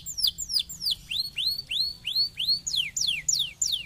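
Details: Singing canary meant to encourage lazy canaries to sing: high downslurred notes, then a run of rising arched whistles about three per second, then steep descending sweeps, all clear and loud over a faint low hum.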